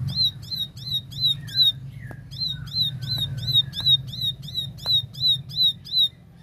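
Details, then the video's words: A Plain Prinia (paddy-field ciblek) sings actively in clear bursts, giving a fast, buzzy series of repeated chip notes, about three per second, with a few lower whistled notes mixed in. "Tembakan Gacor Jernih Ciblek sawah"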